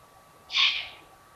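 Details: Eurasian eagle-owl of a family at the Königstein castle ruin in the Taunus, Germany, on the evening of 15 July 2020: a single harsh, hissing screech lasting about half a second against a quiet background with a steady faint hum.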